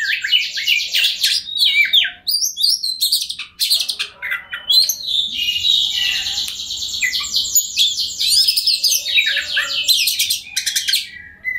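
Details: Oriental magpie-robin (kacer) singing steadily as a lure for rival birds: harsh rasps and whistled phrases give way to long runs of rapid chattering trills, ending in short, rising whistles.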